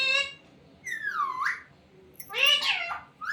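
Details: Talking parrot, said to utter "mummy papa": a short voiced syllable, then a long gliding note falling and rising, then a louder warbling phrase, with soft background hum.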